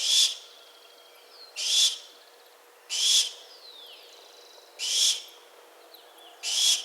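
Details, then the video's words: A barn owl gives five harsh, hissing screeches, each under half a second, spaced about one and a half to two seconds apart, with faint thin bird whistles between. "Sound Barn owl"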